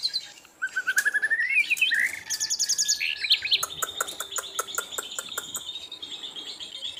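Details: Asian brown flycatcher singing steadily, as a tutor recording for training songbirds: a rising buzzy trill climbs at the start, then fast high chirps and sharp repeated ticks run on at about four per second.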